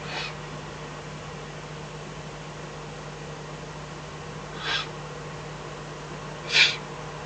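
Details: Eurasian eagle-owl, Eifel, night of 24 May 2014 (03:40–04:18), with a fox delivered as food; three short rasping hisses at uneven intervals, the last the strongest, above a steady low hum.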